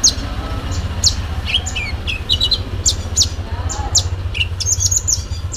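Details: Sooty-headed bulbul delivering a full fighting song packed with imitations: rapid sharp high chirps and short notes dropping to lower whistles, densely repeated over a steady low hum.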